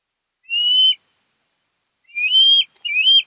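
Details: Osprey at a Chesapeake nest on Kent Island, Maryland, 08-10-2018, giving three drawn-out, clear high whistles. The first stands alone, then two more follow close together after a pause.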